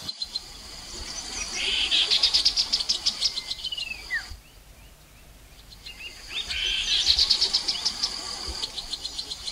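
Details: Lure recording of a Chestnut-capped babbler from the Mekong riverside in Nakhon Phanom, Thailand, 2021: a long rapid pulsed trill, a quiet gap, then another trill, with a falling slurred note between and steady insect noise.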